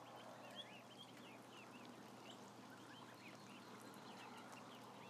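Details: About a thousand ducklings, where many short, curling high peeps tumble over one another without pause, backed by broad hiss and a faint low hum.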